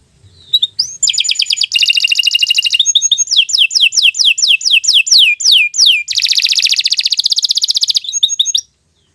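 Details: Energetic, long canary song for training young birds: after a brief start, rapid trills, a series of evenly repeated falling whistled sweeps, then a dense buzzy trill before it ends.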